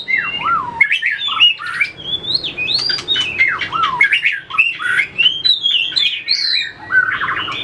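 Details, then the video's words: White-rumped shama trained for competition singing, flicking its tail and hopping perches: continuous melodious song of rising and falling whistled notes and slurred phrases, fluid and varied, with short harsh notes between. "luyện chòe lửa hót đấu,đập đuôi chạy cầu | murai batu"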